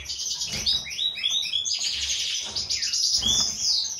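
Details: Captive European goldfinch, breeding pair of a white-throated mutation male and a classic female; fast jumbled twittering with downslurred chips and liquid trills in a steady unbroken stream, with faint cage noises.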